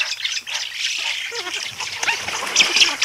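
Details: Close-up spoonbill colony sounds: a continuous, rasping wash of high squawks and chatter, with a few lower croaky notes near the middle and sharper squeaks toward the end.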